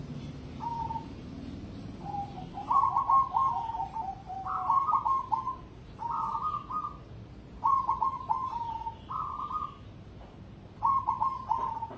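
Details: Cemani zebra dove of competition grade giving its cooing song: bursts of soft, bubbling, whistled coos in short rolling phrases, each about a second long, repeated every one to two seconds over a low background hum.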